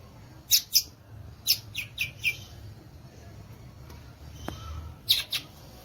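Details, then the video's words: Violaceous euphonia, known locally as gaturamo verdadeiro or guriatã, giving scattered high, sharp chip notes in short pairs and groups, with quiet pauses between bursts. "Belíssimo Canto do Gaturamo Verdadeiro, ou Guriatã"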